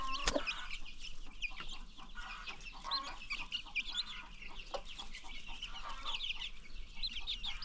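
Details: Free-range farm chickens with new baby chicks: a dense, continuous chorus of high, thin peeps and chirps from many birds overlapping throughout, with a few sharper notes near the start and a steady low rumble underneath.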